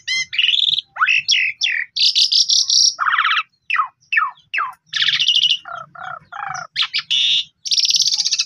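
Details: Asian pied starling in rich lure song: rapid descending sweeps, harsh buzzy blocks, lower gurgling notes and bright whistles, delivered almost continuously with brief gaps.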